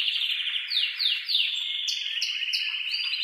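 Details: Male canary singing excitedly to prompt mating. Clear downward-sweeping whistles repeat at the start, over a steady low rattle, followed by short bright notes and a quick trill.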